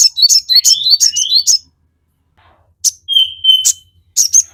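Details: Crested jay in song, used as a lure to make birds answer. Fast upslurred whistles and sharp chips in a bright burst, a pause, then a long steady whistle among more high chips.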